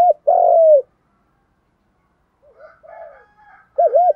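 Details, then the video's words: Spotted dove giving a 'thúc' urging coo and calling coo in field-voice style, used to train newly caught wild doves; one long, loud, level coo, a pause with faint softer notes, then a loud paired bowed coo. "Chim cu gáy thúc + gáy gọi. giọng đồng, giọng hạp bổi mở lên tập chim bổi nghe rất nhanh nổi"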